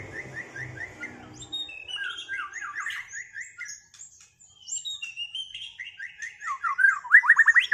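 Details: Two white-rumped shamas duel after moulting, giving rapid chains of repeated chattering notes. They mix with higher whistled slurs, and the song grows louder and faster toward the end.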